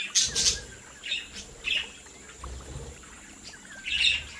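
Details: Budgerigars in a home breeding flock give scattered short, high chirps and tweets about every half second to a second, over faint low rumbling.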